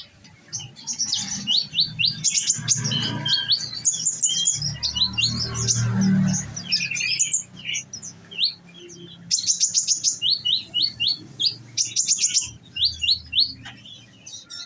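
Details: Caged olive-backed sunbird kept on nectar, singing in the bursting 'nembak' style: quick series of sharp high chirps and short downslurred notes, several rapid bursts separated by brief pauses, with some low background rumble midway.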